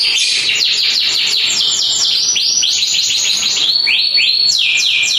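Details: Canary with panda colouring singing continuously, with rapid repeated downward-slurred whistles that shift into a series of swooping upward notes.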